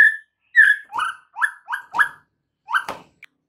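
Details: Caged white-rumped shama training song: a short run of rich rising whistles, each slurred upward, repeated quickly, then a sharp click and a faint high note.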